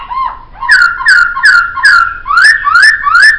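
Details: Poksay song from a songbird training recording: a low whistle, then a run of loud rising-and-falling slurred whistles repeated about every third of a second, each note with a sharp high click at its start.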